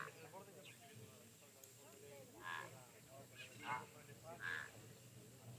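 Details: Pied crows at a waterhole, 17 October 2023, a call heard there almost daily at this time of day: three harsh, hoarse caws about a second apart, after a man speaks quietly over a low background hum.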